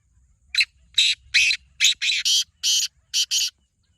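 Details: Kept black francolin gives a rapid series of about nine harsh, rasping, broadband notes, bunched in twos and threes, over a faint low rumble.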